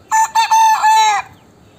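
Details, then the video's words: Three-month-old chicks whose voices are changing: a single strained, harmonic call, broken into two short stuttering bursts and then held for about a second, dropping away into quiet. "New changed voice of my chicks after three moths||chicken voice sound."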